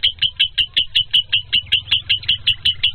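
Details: A lovebird repeats short, piercing chirps at a quick even pace, close to three per second, each note clipped and bright, over a soft low background hum.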